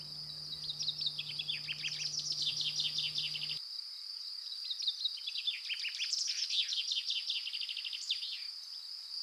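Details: Common chaffinch song from France, male and female said to be singing: two full phrases, each a fast descending cascade of crisp notes closing with a flourish, set against a constant shrill high-pitched drone and brief low hum.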